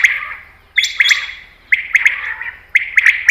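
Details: Common quail (batair) call used to attract quail for hunting: sharp clipped bursts of two or three quick notes, repeated roughly once a second with short silences between.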